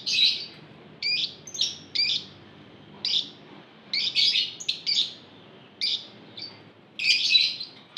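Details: Group of lovebirds (ombyokan) calling to prompt other lovebirds to sing: sharp squeaky bursts in irregular clusters, sometimes two or three in quick succession, over a faint low hum.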